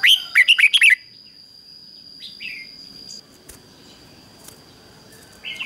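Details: Captive decoy red-whiskered bulbul luring wild bulbuls to fight opens with a fast, loud run of six warbled notes, followed by scattered softer chirps and a persistent high whining tone.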